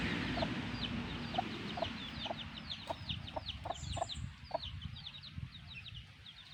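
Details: Black hen with her chicks: the hen gives soft, low clucks about every half second while the chicks keep up a rapid chorus of high, thin, falling peeps, with some low rustling underneath.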